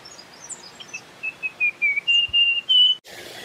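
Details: Russet-crowned warbler phrase of pure whistles. Brief dipping notes lengthen into steady, higher, louder tones. Soft distant chirps precede it, and an abrupt cut with a burst of noise ends it.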